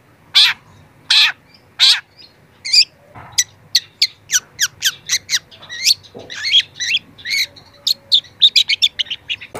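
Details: Young long-tailed shrike, training recording: three loud harsh notes, then a rapid varied sequence of thin, sweeping whistles and chirps, suggesting mimicry, building to a fast twittering finish.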